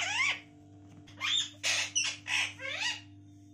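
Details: Talking pet parrot indoors, described as calling for mummy: five loud, raspy, speech-like bursts with bending harmonic tones, spaced about half a second apart, over a constant low hum.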